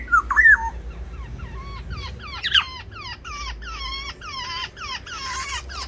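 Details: Black-naped orioles clashing over territory in an aviary: a brief fluty whistle, then a fast run of about a dozen short, nasal, down-slurred notes that grow harsher and higher toward the end.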